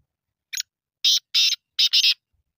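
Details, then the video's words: Black francolin giving its call: a brief rough opening note, then four harsh, buzzy, high bursts, the last pair running together, with quiet all around. "kale teetar ki awaaz"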